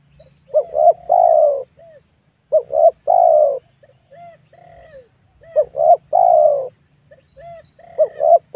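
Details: Spotted dove in a small oil palm plot during wild dove luring. Four phrases of two short coos and a long coo, with fainter answering coos and a few higher whistled notes from other birds between them.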